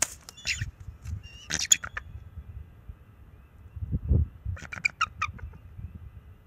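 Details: Bald eagle pair on their nest on March 7, 2024, the young male warning an owl off with calls and wing flaps; two runs of high, squealing chitters with a deep thumping flap between them.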